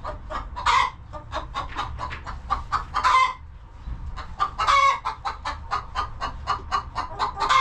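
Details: Hens clucking in a cozy homestead coop: dense rapid chains of short clucks, almost continuous, with a few louder stretched notes mixed in and a brief lull midway.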